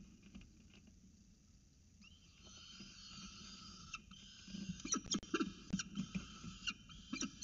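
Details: Peregrine falcon chicks in an Orange nest box at breakfast, 9.36 am, 29 October 2018, as prey is delivered and an adult feeds them. Quiet rustling comes first. Thin, drawn-out squealing calls begin at two seconds, then harsh bursts cluster near the end.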